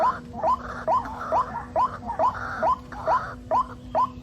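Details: Rainy-season white-breasted waterhen chicks: nine short rising squeaks in quick regular succession, a faint steady hum underneath.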